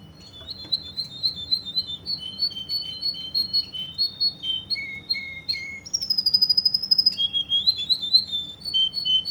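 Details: Indoor song of a Russian canary in Kuwait: repeated two-pitch whistled phrases, falling lower notes, then a fast dense trill on a high steady tone followed by more alternating whistles.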